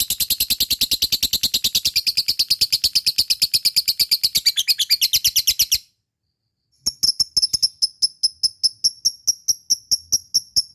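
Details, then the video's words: Fighter lovebird's long ngekek chatter, used to coax silent lovebirds into singing: nearly six seconds of dense, shrill rattling notes, a one-second silence, then a string of crisp separated chirps. "Sangat bagus untuk pancing love bird malas bunyi,lovebird fighter ngekek gacor di jamin nyaut"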